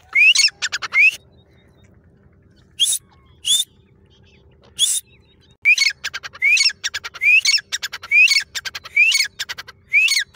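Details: Female grey francolin calling: loud, rising whistled notes in quick clustered bursts, some runs of three or four close together, then pauses, about seventy notes a minute, with a low hum beneath.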